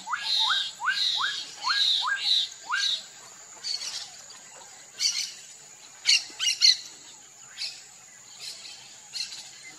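Black-capped donacobius giving a quick series of about seven loud rising whistles, then harsher scratchy bursts, over a steady high insect hum.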